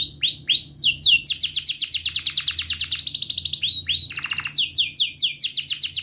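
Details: Canary singing a long, lively roll, used as a lure for young or silent canaries: rising whistles leading into a fast, even series of pulsed notes, then a buzzy burst and more swooping whistles.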